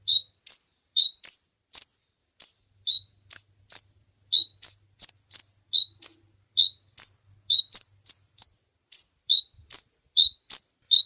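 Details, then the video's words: Kolibri ninja sunbird used as a master song for tutoring other birds: loud, sharp, very high single chirps alternating between two pitches, repeated steadily about twice per second throughout, with a clean silent background. "Suara Burung Kolibri Ninja Pikat gacor Durasi Panjang mantab buat masteran"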